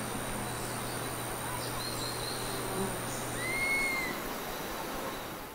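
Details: In Costa Rica, a Dusky-capped Flycatcher, the smallest local Myiarchus, gives a single plaintive, mournful whistle that rises then slurs down slightly, with fainter high whistles before it over a low steady hum.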